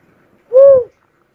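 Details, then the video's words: A cuckoo-dove gives one clear, mellow whistled note that rises slightly and falls again, lasting about a third of a second, against a quiet background. "suara burung uncal asli"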